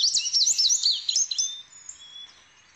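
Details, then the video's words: Indigo bunting singing a quick run of bright, high, sharply slurred notes, often in pairs. The song fades within about a second into faint thin tones and background hiss. "Burung "INDIGO BUNTING" Passerina Cyanea Indah & Memiliki Kicauan Merdu !!!"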